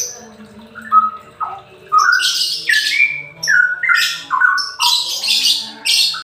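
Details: Straw-headed bulbul, semi ropel song used as therapy to coax reluctant birds to sing: mellow, bubbling phrases climb and drop, with bright, loud whistled notes bursting out about once a second.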